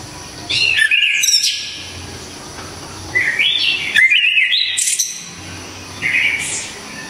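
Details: Loud, sharp Javanese orange-headed thrush song used to train other songbirds: three bursts of rich whistled, warbled phrases with sudden high squeaks, separated by short quiet gaps.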